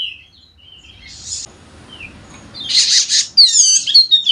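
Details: Sumbawa's golden-headed Wallacean white-eye, used as a tutor for lazy birds, gives scattered high chirps, then two harsh noise bursts and a closing flurry of bright, down-swept twittering notes.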